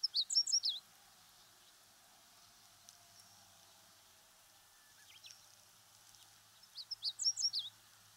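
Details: Meadow Bunting in Japan, living in fields and grassland: two short bursts of quick, high, sharp chirps at the start and end, separated by quiet background hiss with a faint note in between.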